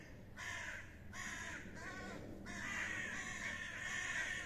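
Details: Fighting common ravens: several drawn-out, raspy, grating calls, some long and continuous, others broken into short harsh bursts, over a low background rumble.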